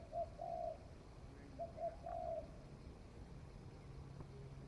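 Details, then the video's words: Spotted dove newly begun cooing, tested out in the forest, heard at a distance: two soft phrases of short coos leading into a longer coo, set against steady low background rumble. "Tiếng chim cu gáy mới nổi thử rừng"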